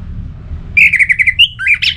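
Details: Orange-headed thrush, a lure song meant to keep a bird singing morning to night: a quick run of short whistled notes on one pitch, then higher and lower slurred whistles, over low background rumble.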